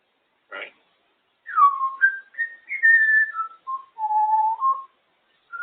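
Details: Female African grey parrot on her cage whistles a wandering melodic phrase, a click then linked smooth tones stepping up and down, ending on a longer low note; indoors, a person asks if it can be heard.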